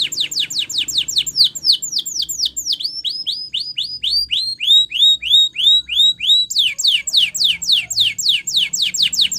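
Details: Spanish Timbrado canary (Serinus canaria) song for training: fast rolling tours of high, down-slurred whistles, about three or four a second, shifting pace and pitch between phrases over a quiet background.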